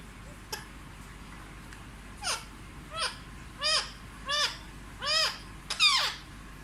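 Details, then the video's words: Hand-raised Indian ringneck parrot that speaks Hindi utters a quick series of short, downward-sweeping voiced syllables, about one per second and growing louder, indoors with faint room hiss. "देखिए सबसे प्यारा और समझदार तोता जो फर्राटेदार हिंदी बोलता है! 🦜ll Indian Ringneck Talking Parrot l"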